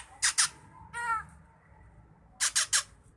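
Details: Vocal drongo recorded as training song for songbirds: two harsh rasping bursts, a buzzy nasal harmonic note, then a rapid run of three more rasps.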